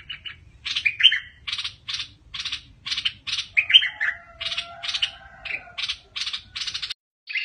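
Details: Bulbul in a fierce, aggressive singing style: a series of bright chirped notes about every half second, with quick whistled slurs mixed in and a faint steady tone in the background.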